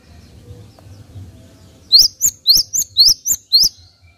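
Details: Java sparrow: following near silence, a series of seven loud, sharp, upward-sweeping chirps at a steady, brisk pace over about two seconds.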